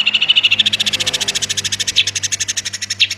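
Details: Vigorous long-tailed shrike song, 'roll tembak' style: a fast, even stream of bright high notes, roughly seven per second, with faint low hum beneath.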